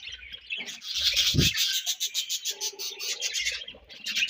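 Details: Budgerigars chirping while feeding and exchanging food, a continuous high chattering warble pulsing several times a second, with a brief low thump and soft rustles.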